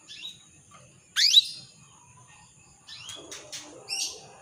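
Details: Canary (Serinus canaria), call: female calling the male.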